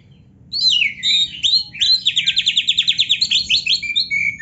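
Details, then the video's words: White-rumped shama song from a training recording meant to push caged birds into full song. After half a second of quiet comes a falling whistle, then a rich run of varied phrases and a fast, even series of repeated sharp notes. "KACER GACOR MASTERAN KACER ISIAN MEWAH"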